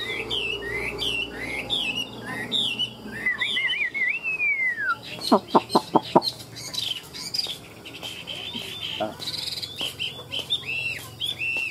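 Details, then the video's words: Tame Chinese hwamei in a cage, 'ngũ trường' singer, gives looping whistled phrases and one long wavering rising-falling slur, then a burst of loud clicks and scattered further notes. "Họa mi ngũ trường"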